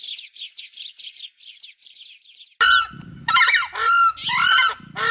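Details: Screamer, a large South American bird related to ducks: a run of quick high chirps, followed by loud, goose-like honking bursts, harsh and trumpeting, repeated about every half second with a low rumble underneath.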